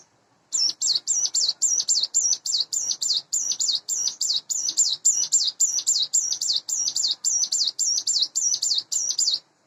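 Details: Sunda bush warbler, kept in a cage after hand-rearing, roughly eight months old, in morning song: after a short silence, a steady stream of high, metallic double-noted chirps runs for about nine seconds.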